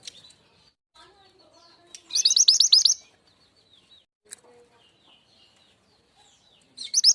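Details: Javan sunbird lure call for drawing in wild birds: a rapid burst of high, thin, sharply rising chirps lasting about a second, a few soft scattered notes, then another trill begins at the end.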